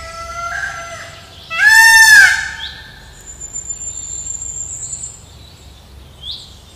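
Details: A black woodpecker in the morning, during the raising of its young, gives one loud, ringing, slightly drooping call of about a second, framed by softer nasal notes and a thin, high, sustained whistle.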